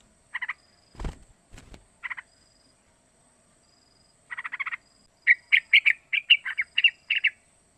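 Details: Young yellow-vented bulbul, three months old, giving lure calls meant to set other bulbuls singing: a few isolated short notes after two dull thumps, then a quicker run of lively chattering notes.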